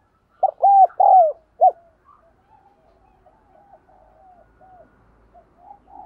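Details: Decoy spotted dove giving a loud "thúc gù" cooing phrase of short and long falling notes to encourage other birds to call. Quiet murmured cooing trails on afterwards.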